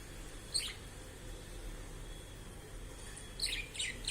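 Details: A blue budgerigar, energetic and curious and exploring a new cage shared with another budgie, gives brief, scratchy chirps and twittering warbles separated by a quiet pause.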